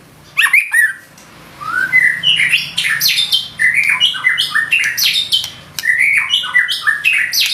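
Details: White-rumped shama in full, loud song: a rich, varied stream of whistled phrases, with rapid upslurs and downslurs, trills, and sharp high notes running almost without pause; some faint background hum.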